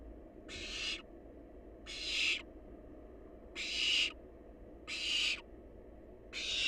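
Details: Wild barn owl nestling at a nest box, feeding on leftover prey, gives harsh broadband hissing screeches about half a second long, five in a row with pauses, over a steady low background hum.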